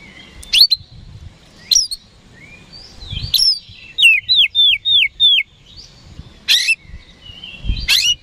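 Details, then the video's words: Oriental magpie-robin (kacer) song used to provoke rivals: sharp isolated chips, then four clear downslurred whistles in a row, followed by further sharp rising notes spaced a second or two apart, faint low rumble beneath. "PANCINGAN KACER HARIAN 🔥 Super GACOR Ampuh Bikin Lawan Cepat Respon"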